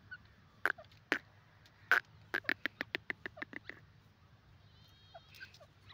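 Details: Male black francolin, called sindhi or kala teetar, in a forest in Pakistan: three loud, spaced, harsh rasping notes, then a quick run of about ten shorter grating notes that fade away, with faint chirps afterward.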